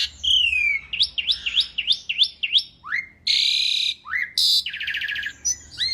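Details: Asian pied starling, locally jalak suren, in full masteran song: a falling whistle, then a rhythmic run of five rising chirps, followed by long harsh rasping bursts and brief whistled upslurs.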